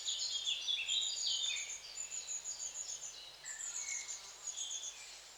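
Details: Long-tailed tits give a busy stream of high, thin twittering calls, rapid overlapping chirps at a fast pace, brief lower slurred notes mixed in, over soft steady hiss.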